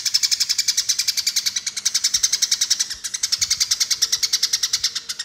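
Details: Eurasian tree sparrows in a fighting-call lure recording give a fast, dense run of harsh chirps, about eight a second, in excited fighting chatter with no pause. Nothing else is heard.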